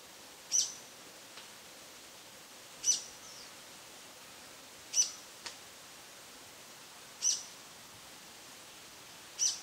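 A young brown-eared bulbul gives short, shrill, high-pitched notes, one roughly every two seconds, over a steady background hiss.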